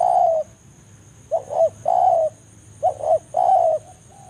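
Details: Wild spotted dove calling a rival in the forest, recorded as a lure to attract other doves; a long coo ends one phrase, then two quick notes and a drawn-out wavering coo repeat.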